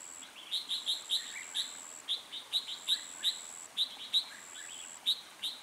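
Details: Red-whiskered bulbul used as a decoy to call in a wild bird for trapping, recorded 27 February 2020: bright chirped and whistled notes in rapid irregular bursts, with a thin steady high tone running beneath.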